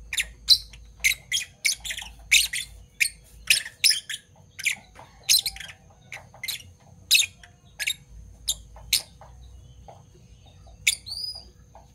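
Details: Fischer's lovebirds, parblue violet and parblue turquoise, in the morning: a steady series of sharp squeaky chirps, roughly one every second or two, fading toward the end with a last thin whistled note.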